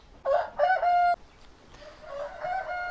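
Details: A rooster crows loudly in a poultry farm's chicken coop, a rising harsh note followed by a long held final syllable, with a fainter second rooster crowing in the distance; the roosters are crowing, taken as a good sign.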